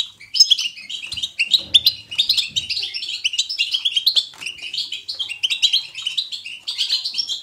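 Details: Lively goldfinch batbata, natural twittering for encouraging a pet goldfinch to sing. A nearly unbroken flow of high, jingling chirps and quick trills runs throughout, with muffled low thumps around two seconds.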